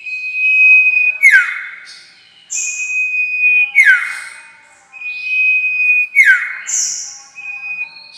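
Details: Trapping lure sound of a sirtu: a loud pattern of a level whistled note, a quick downward slur and a high buzzy note, repeated three times about every two and a half seconds.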